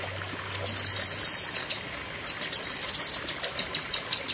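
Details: Cucak kinoi in a 'pedes panjang' shooting burst. Two runs of rapid, piercing staccato notes, each slowing into spaced sharp chips, with a low hum early on.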